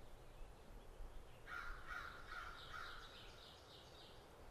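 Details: Chukar partridge calling in the mountains: four evenly spaced, mid-pitched clucking notes in about a second and a half, fairly distant against a hiss of open-air background noise.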